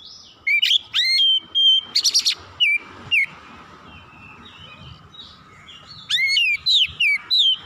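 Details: Agitated oriental magpie-robin (kacer) showing its full repertoire: loud whistled notes and rising slurs, a harsh buzzy burst, a quiet gap of about three seconds, then more clear whistles sweeping up and down.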